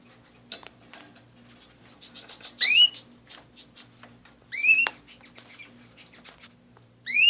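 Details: Canaries at home utter rising harmonic chirps three times, spaced about two seconds apart, amid a busy background of soft clicks, twitters and rustling.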